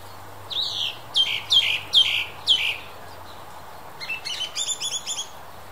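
Song thrush repeating a loud, clear whistled phrase four or five times, then switching to a rapid run of thin, high chattering notes.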